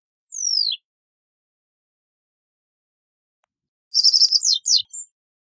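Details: One long slurred whistle sweeping downward, then after a pause a reed bunting phrase of rapid rattling chips broken by downward slurs and a final thin high note.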